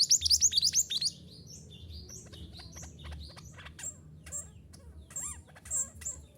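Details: Mantenan gunung song from a recording used to get caged birds singing. It opens with a loud second of rapid high rising notes, then sparser chirps and a few buzzy trilled calls.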